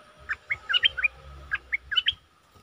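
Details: Decoy bulbul singing two short phrases of quick, slurred whistles, each a bubbly cluster of four or five notes, over a low background rumble.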